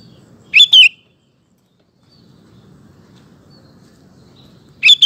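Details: Sooty-headed bulbul singing strongly, played to entice male birds to sing along. Two crisp two-note chirped phrases about four seconds apart, separated by near silence with a soft low hum.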